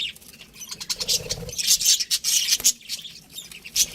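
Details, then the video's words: Pet budgerigars, a breeding pair, giving scattered high scratchy chirps, with a low muffled thump early on and brief quiet gaps. "cute budgies chirping sounds"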